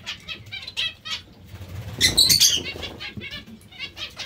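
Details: Zebra finches at a vegetable meal: scattered nasal beeping notes, then a sharp, louder burst of overlapping calls halfway through, with wingbeats and faint low rumble.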